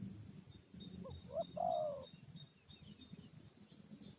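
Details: Spotted dove calling while used as a lure to fight wild forest birds: two short soft notes, then a longer, clear cooing phrase of about half a second, over low rumbling background noise and faint high chirps.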